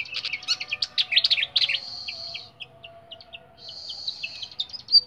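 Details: Caged flycatcher with a clear voice, fed small insects and banana, singing quick high chirps and short trills, then a run of evenly spaced single notes and a sustained high trill, over a faint steady hum.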